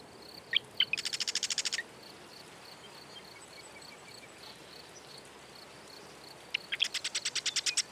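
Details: Marsh wren song: two bursts, each a few sharp introductory notes and then a fast, buzzy, rattling trill lasting about a second. A steady series of short high pips runs between them.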